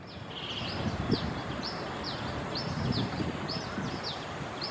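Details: A migratory black baza perched low in Singapore, flying from perch to perch. It gives short, high, down-slurred notes repeated about every half second, with a steady low rumble of background noise.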